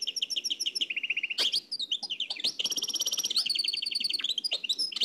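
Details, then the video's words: Nightingale song from Oued El Alaig, copied from an old cassette: rapid series of sharp high pulsed notes, a fast lower trill, then loud buzzy rattling phrases and repeated chips, with faint tape hiss. "تغريد واد العلايق نقلته عن كاسيت قديم بصحتكم خاوتي معمر روسينيول"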